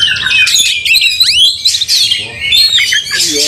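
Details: Oriental magpie-robin in an aggressive fighting display, tail fanned, goading another magpie-robin; shrill rapid warbles with a prominent rising-then-falling whistled sweep, harsh squeaky notes, and a faint low voice in the background.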